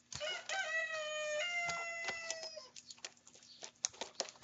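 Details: Several young common ravens squabbling over food at breakfast give a long, drawn-out, nasal harmonic call lasting about two seconds, followed by quieter rustling and pecking sounds.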